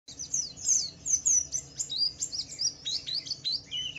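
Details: Pleci (white-eye) of the Wiklus Wiksar type singing in full ngalas style, used as a lure to provoke other white-eyes into singing: rapid, very high twittering of sharp chirps and slurred whistles, tumbling continuously with steady pulses.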